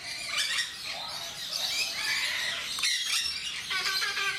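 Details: Jenday parakeets kept in Mysore Zoo, a flock giving loud, shrill, harsh squawks and screeches that overlap almost continuously, with high chattering notes running through the whole stretch.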